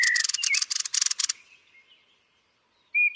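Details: At roost, a Turdus thrush gives a grating pulsed chatter lasting about a second with a short whistle, fading to quiet before a final bright whistled note.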